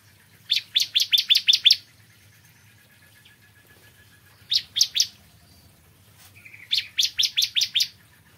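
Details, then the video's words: Bar-winged prinia morning song: short bursts of six to seven crisp, rapidly repeated notes, a brief three-note phrase, then a soft buzz leading into another quick series; quiet low hum behind. "Kicauan Ciblek Kristal Dipagi Hari"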